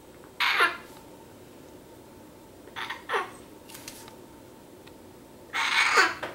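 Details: Eight-week-old female baby Eclectus parrot gives three harsh, raspy squawks, each dropping at the end, spaced about two to three seconds apart, over a faint steady hum indoors.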